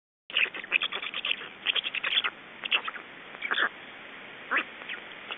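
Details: Black storks at an Estonian nest on 29 May 2012 around 19:55, during feeding and a nest change: bursts of short, scratchy, clicking pulses in rapid runs, pausing between groups, with steady background hiss.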